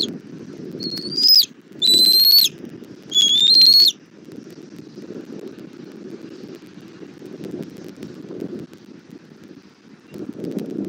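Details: Bald eagle nest cam in Southwest Florida, 17:30, 1 April 2024, mother bringing food for the chick: three loud, high, slightly rising whistles in the first four seconds, then only wind and rustling.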